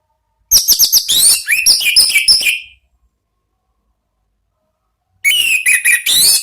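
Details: Anis merah, the Orange-headed thrush, in ngeplong song used to lure and stimulate birds: two quick bursts of bright, jumbled high whistles and chips, the first lasting about two seconds, the second after a pause.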